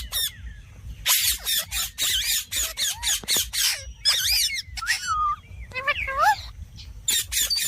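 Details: Ringneck parakeet chattering in fast bursts of raspy, speech-like syllables, with looping whistled inflections and short squawks throughout.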